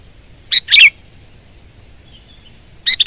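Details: Sooty-headed bulbul in energetic gacor singing, delivering two rapid liquid bursts close together, a pause with a faint thin note, then a fresh bubbly phrase starting at the end.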